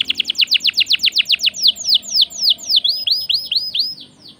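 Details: Canary in full song, played to spur other birds to sing: rapid steep descending whistles that slow into broader arched, looping notes and fade out.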